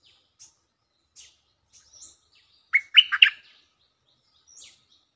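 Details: Stripe-throated bulbul lure song: scattered soft high chirps, then a short loud cluster of three bubbly, fluty notes, followed by another faint chirp in a quiet setting.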